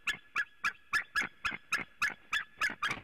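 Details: White-tailed eagle at a nest webcam in Latvia, 26 February 2018, about 11:06 am, as the male arrives for nest work and the female for mating: a rapid series of about a dozen harsh yelping notes, three or four per second, steady in pitch.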